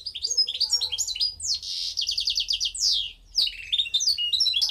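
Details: A 2015 goldfinch hybrid sings continuously, mixing quick high chirps with a dry buzzy rattle of repeated notes, a sweeping downslurred phrase, and renewed sparkling twitters.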